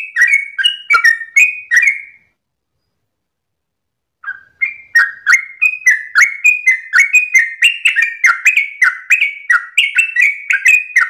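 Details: At dawn a Yellow-vented bulbul sings in 'ropel' style: a short burst of bubbly whistles, a two-second silence, then a long quick series of slurred, varied whistled notes.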